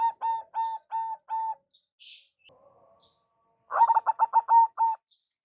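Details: Zebra dove, local type, with a big voice calling to lure. Five spaced, even cooing notes come first, then a hissing rustle. A fast burst of clipped coos ends in longer level notes.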